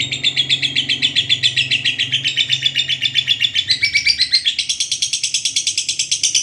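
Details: Lovebird ngekek panjang, a long chattering song used as a training recording: a quick, even stream of scratchy, high notes, roughly seven or eight each second, rising noticeably higher in the final two seconds, with faint low hum.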